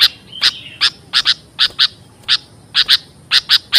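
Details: Sooty-headed bulbul calls meant for luring and tutoring birds: dry rasping notes, single and paired, repeated irregularly over a faint hiss.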